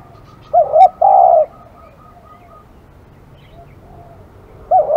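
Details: Spotted dove, described as aggressive, giving a cooing phrase: a short double coo, then a long, loud, buzzy coo. A softer faint echo follows, and another double coo begins at the end over a quiet background.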